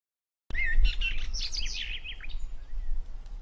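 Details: Bird chirping in a short burst of quick, high twittering notes and slurred whistles, bright and busy for about two seconds before fading into scattered softer chirps, over a low background rumble.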